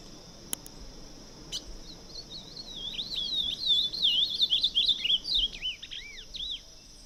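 Ultramarine Grosbeak singing a fast, sweet warble of rising and falling notes for about four seconds, over a steady high insect drone and a couple of clicks.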